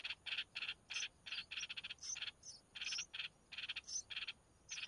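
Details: Red-whiskered bulbul nestlings begging as the mother delivers food: evenly spaced short buzzy rasps in quick pairs and runs, alternating with sharp high whistled notes.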